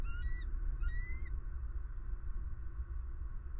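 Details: Eagle caught on camera at a Southwest Florida pond, 23 February 2020: two quick, thin, upward-sliding whistles in close succession, then only a low rumbling background.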